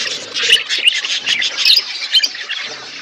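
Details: A flock of budgerigars kept as pets, eating winter food in Asia; dense overlapping chirps and squawky chatter at high pitch, with rapid notes crowding together and no clear pauses.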